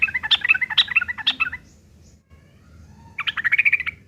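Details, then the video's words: Yellow-vented bulbul in fierce fighting song, a harsh lure to provoke replies: a burst of rapid chirpy notes for about one and a half seconds, a near-silent gap, then a fast run of repeated chirps. "trucukan gacor TARUNG ngeriwik kasar pancingan trucukan agar bunyi"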